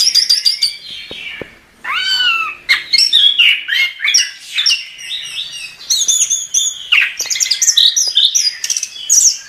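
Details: Chestnut-capped thrush in full, lively song: varied whistled phrases, sharp downslurred notes and bright rising slurs tumble together, with short high trills between. Brief pauses break the phrases.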